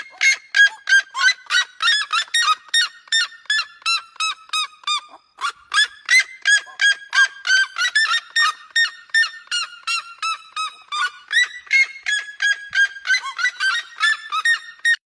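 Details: Red-legged seriema (Cariama cristata), call.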